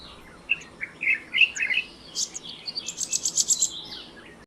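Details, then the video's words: A perched male black-naped monarch, tagged Purbasthali, gives a burst of sharp, high chirps and then a fast, ringing series of clipped notes. "Black-naped Monarch (male)"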